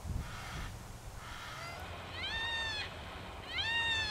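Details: Yellow-tailed black cockatoos in a group, Royal National Park behind Heathcote oval: two loud, drawn-out wailing calls, rich in harmonics, rising then holding steady, after fainter earlier wails; low background rumble.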